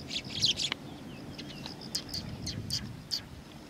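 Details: Eurasian tree sparrows arriving to be fed at a Tenmangu shrine in September 2020; a cluster of loud chirps at the start, then scattered single chirps over a rumbling background.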